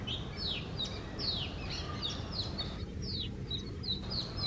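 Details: Morning song of an Oriental magpie-robin perched on a tree, a lively run of bright whistles and sharp downward-sweeping notes with varied phrasing, a steady low hum of background noise beneath.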